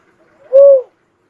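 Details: A lone smooth whistled note from an uncal (cuckoo-dove), brief and softly arched, preceded by a faint lead-in and followed by quiet.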